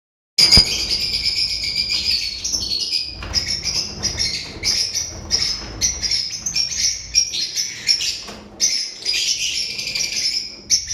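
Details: Lovebirds chattering continuously with high, scratchy, squeaky chirps in rapid overlapping bursts, several birds calling together with hardly a pause.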